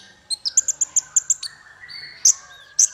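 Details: Sweetest masteran training song for small fighter songbirds: a run of sharp, high chirps repeated about five times a second, then a soft rising whistle and two loud high notes.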